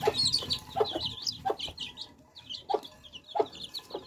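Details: Young chicks drinking fresh water peep in bright, high, rising and falling chirps. Crisp pecking clicks come every half to one second over faint low noise.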